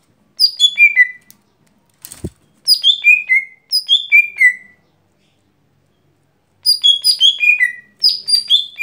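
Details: Daily singing of a lesser green leafbird: clusters of high, clear descending notes sliding from piercing to mid-pitched, delivered in short rapid phrases with gaps of silence, one soft thump between them.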